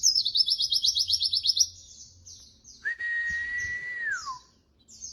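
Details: White-eye in a tutor recording for training birds, giving a quick high rattling trill, then softer twitters, followed by a long level whistled tone that slides downward at the close.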